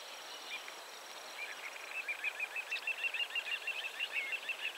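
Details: A little ringed plover at 51.912315, 20.318912 gives a fast, rolling run of high, clipped notes, about three a second, over a faint thin background hiss.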